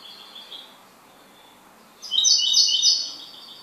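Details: Goldfinch, a kept bird, singing a short bright burst of high, tinkling, twittering notes after a quiet stretch of faint thin tones; no other clear sounds.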